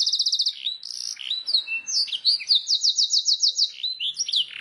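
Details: Canary master song, used as training to get birds singing quickly: fast trilled rolls, swooping whistled notes and a bright repeated buzzy trill run together without pause.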